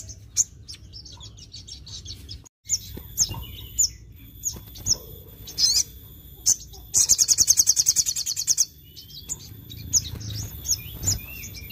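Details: Sogon bird singing hard to provoke rival sogon: scattered high, thin chirps with steady faint tones, then a rapid, buzzy trill of evenly spaced notes lasting almost two seconds before sparse chirps return.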